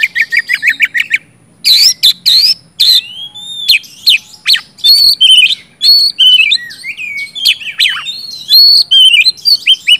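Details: Oriental magpie-robin song meant to get reluctant birds singing, opening with a quick string of repeated chirps, then varied whistles, sharp notes and slurred phrases in steady bursts.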